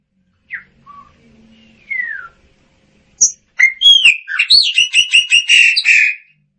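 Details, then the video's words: Chopi blackbird singing: sparse soft whistles and a falling slurred note, then a fast rhythmic burst of loud, liquid, repeated whistled notes lasting nearly three seconds. "Tordo Chaqueño Cantando - Chopi Blackbird Singing"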